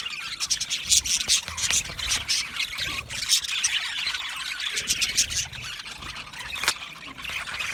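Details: Budgie parakeets communicating with content chirps: a steady run of high squeaky twitters and warbles, several birds overlapping, with a low background murmur.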